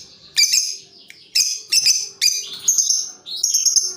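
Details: Lovebird calls used as a lure, birds answering one another with long chattering; harsh, shrill squawks repeated about every half second to second, with a faint low hum beneath.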